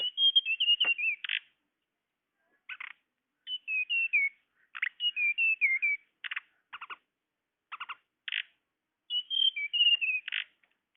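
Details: Tledekan sound played to lure birds: repeated short phrases of high whistled notes slurring downward, alternating with brief buzzy, scratchy bursts, with pauses between groups.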